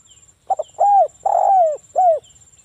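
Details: Loud local spotted dove in full song, used to prompt other doves to call: stuttered opening note, arched coo, long sliding coo and short final coo in one phrase, with faint high chirps and a steady whine behind.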